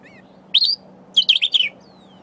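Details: Sombre greenbul foraging for berries while singing to itself: a single rising buzzy note, then a rapid cluster of harsh chattering notes, with a faint thin whistle at the end over low steady hum.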